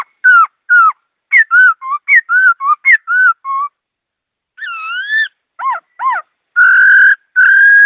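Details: Laughingthrush singing fast with clear tone: short, rich whistled phrases with a slurred up-down shape, repeated about every third of a second, then a pause, a rising warble, doubled notes, and long steady whistles; no other sounds.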